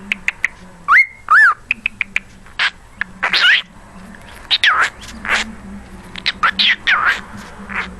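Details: Pet cockatiel, a mimic that sings Jingle Bells, wolf whistles and talks, gives a run of sharp chirps and clear upslurred whistles, some rising and falling, mixed with short chattering notes, while a person talks softly nearby.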